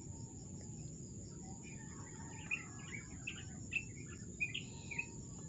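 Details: Wild birds singing in the early morning at a cool, high-elevation campsite: scattered short, sharp chirps and brief whistled notes, some overlapping, over a steady high insect drone and low background rumble.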